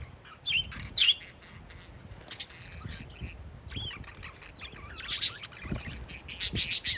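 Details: Outdoor parakeets on a windy day give scattered high chirps and a few short rising notes, ending in a quick burst of four loud harsh chirps, with a steady low wind rumble beneath.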